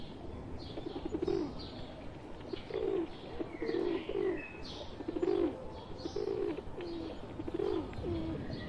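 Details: Flock of wild pigeons joined by a pet pigeon, giving low throaty coos roughly every second in a regular series, with scattered thin chirps of other birds above.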